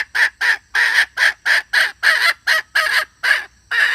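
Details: Calling hen, 2021 lure recording: loud, rasping, cackle-like notes in a continuous run, each short and coarse, about three per second with uneven gaps.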